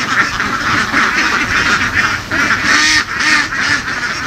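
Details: Herded laying ducks out in open fields of western Vietnam; a crowded mass of nasal quacks overlaps without pause, a few clearer repeated calls standing out near the end.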